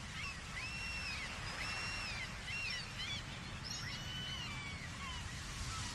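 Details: Gulls at the Arbroath cliffs giving repeated nasal, arching calls with strong harmonics, several birds overlapping and calling across the whole stretch, over a steady low rumble of wind or surf.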